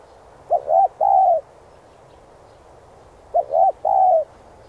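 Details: Spotted dove singing to train decoy birds, two clear cooing phrases about three seconds apart, each a short note, a rising-falling coo and a drawn-out level coo.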